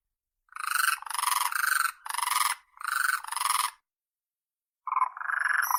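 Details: Crane calling in a run of loud, pulsed, rattling trumpet bursts of under a second each, then a pause, then a final rolling call.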